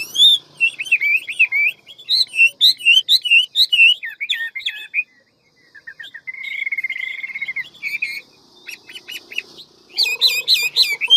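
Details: Hwamei of the ngũ trường type singing in forest-voice style, quick and with many voices: a rich run of loud, varied whistled phrases, rapid slurred notes and trills, with a steady sustained whistle in the middle.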